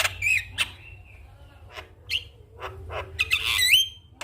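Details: Sparse Javan myna phrases for waking up quiet mynas in the morning: a few clear whistled slurs, isolated harsh notes and a final rising, wavering whistle, low hum beneath.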